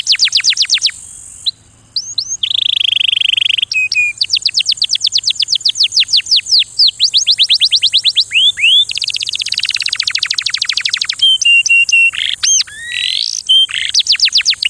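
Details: Canary in full song, long fast trills of repeated upward-swept notes alternating with steady whistled tones, a dense rattling burst, and sharp chirps, bright and high-pitched throughout over a faint continuous hiss.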